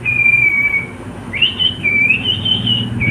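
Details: Pet cockatiel singing: a long, steady whistle sliding slightly down, then a rising swoop into a wavering, held high whistle that carries on almost without a break.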